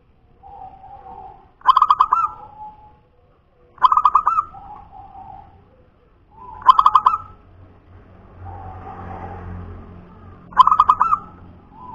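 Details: Local natural zebra dove of the punden type repeating its cooing song four times in twelve seconds. Each phrase is a burst of fast, stuttering coos followed by a lower, softer trailing coo. Faint rustling between phrases.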